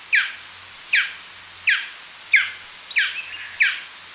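A male golden fruit dove gives six short, falling yaps, about one every 0.7 seconds, over a steady high insect-like whine.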